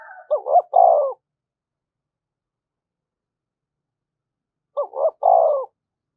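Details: Two identical spotted dove phrases about four seconds apart, each a pair of short clipped notes then a longer falling coo, in the urging style used to excite decoy birds; silence between.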